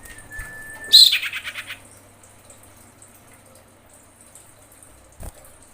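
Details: Female common iora in breeding condition calling to males, recorded as a lure sound: a long steady whistled note, then a loud harsh buzzing rattle of rapid pulses lasting under a second, followed by quiet; a faint click near the end.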